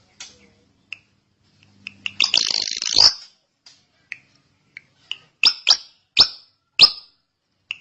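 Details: Drongo, given as srigunting in a long, continuous gacor song, sparse sharp high chirps and short clicks, with a harsh buzzy burst near the middle and a run of loud downslurred notes toward the end.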